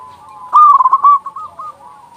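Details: Local zebra dove with a loud, big voice, used as a master recording to lure doves and prompt them to sing: one rolling, warbled coo phrase of quick pulses and trills, followed by softer trailing coos.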